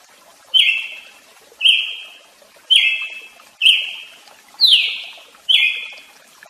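Brazilian tanager giving six sharp, high, slightly metallic notes, about one per second, each trailing off quickly; quiet background.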